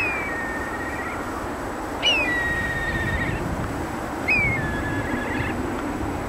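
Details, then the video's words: Black kite calling while perched: three loud, drawn-out whistles, each starting high and sliding down, then holding a long, level, slightly wavering tone, spaced about two seconds apart over a low background hum. "トビ 止まっていても鳴くんですね。"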